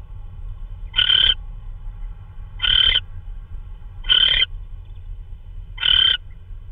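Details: Owl at night, 3:12 AM on March 16, 2013, delivering a prey item that may be a vole; four raspy, hissing screeches repeat about every 1.6 seconds with a low background hum.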